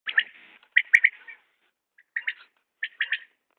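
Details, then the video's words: Common quail calling: short bursts of two or three sharp, liquid notes, each phrase clipped and rhythmic, repeated roughly every second with brief silent gaps between phrases. "بٹیر کی عمدہ بولیاں"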